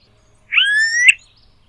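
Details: Smooth-billed ani in a wild flock of about ten foraging on vacant land in Brazil. It gives a single drawn-out, whining whistle that starts low, slides steadily upward and ends in a sharper rising flick. The background is otherwise quiet.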